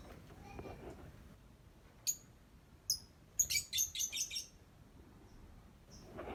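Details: Singing lovebird giving thin, high chirps, then a quick run of five or six bright squeaky notes, with faint low room noise throughout.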